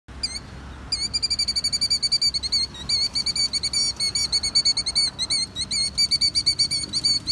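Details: A female Killdeer gives a fast, shrill, steady trill of high piping notes, about six a second, to defend her nest. No other sounds stand out.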